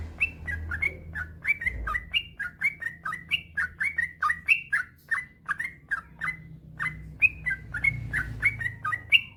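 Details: Male yellow-vented bulbul in a long unbroken singing run, used as a master recording to rouse lazy bulbuls into song: rapid chain of short bright chirps, slurred up and down, about three per second, low hum underneath.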